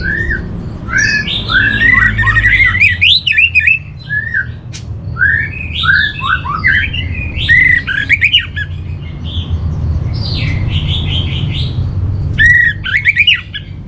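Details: Orange-headed thrush master song used for training captive birds: varied rich whistled phrases, rising and falling slurs mixed with short chattering notes, delivered in bursts over a steady low hum.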